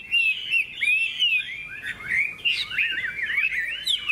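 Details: A Hwamei singing in a contest, yellow with a large tail and flicking wings, gives varied fluty whistles that slide up and down, then a quick zigzag warble and sharp rising notes.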